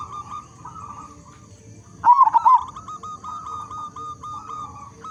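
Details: Zebra dove of local type, a strong singer meant to prompt other zebra doves. After soft background coos, a single loud rippling coo of several fast notes sounds midway, followed again by quieter distant cooing and a steady faint whine.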